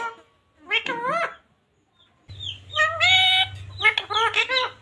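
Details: Talking parrot, a green ring-necked bird kept as a pet, repeating Hindi devotional phrases: two bursts of nasal, speech-like syllables with stacked harmonics, separated by a short pause, with a steady low hum underneath.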